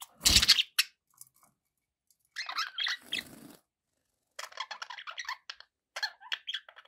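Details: A loud rustling crackle opens the recording, followed by pet budgerigars chattering in quick runs of squeaky, scratchy notes.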